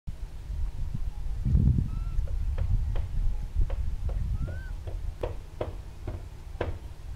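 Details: Red-gartered coots (Fulica armillata) in a pitched battle on Laguna Nímez, El Calafate, Patagonia, Argentina: short, sharp clicking notes in an uneven series with a couple of brief rising squeaks, over a steady low rumble of wind or water.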